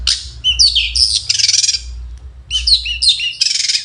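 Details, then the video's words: Long-tailed shrike morning song: two similar phrases, each of shrill slurred whistles running into a dense scratchy buzz, separated by a brief pause, over a low background hum. "Nyanyian cendet di pagi hari"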